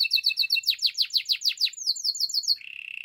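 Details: Belgian canary in morning song: quick repeated high chirps that turn into steep downward sweeps, then a fast rising run of notes ending in a lower, even rolling trill.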